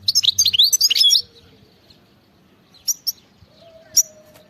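A European goldfinch sings a quick, tinkling burst of high twittering notes for about a second, then a few short, bright call notes after a pause, over faint background hum.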